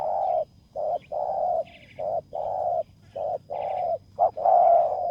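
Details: A spotted dove works as a decoy to lure a rival on open ground. Its soft hooting coos alternate short and long, with brief pauses between them. Faint buzzy chirps from a small bird sound now and then.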